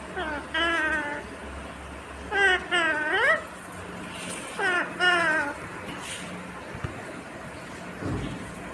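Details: Green ringneck parrot talking in three separate bursts a couple of seconds apart, each a few stacked, rising, voice-like syllables, with a faint low tone at the end.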